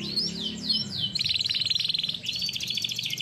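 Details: Training song of a canary, opening with descending whistled slurs and moving into a rapid, even, rattling trill, then a higher, finer trill, with a faint low background hum.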